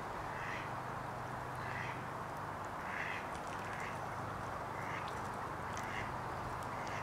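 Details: Mandarin ducks at the Leven river mouth in Balloch, Loch Lomond; short soft calls come roughly once a second over a steady low background hum.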